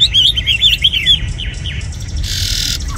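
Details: Tame caged red-whiskered bulbul gives a brief burst of quick slurred whistled notes, then falls quiet before a loud hissing rustle.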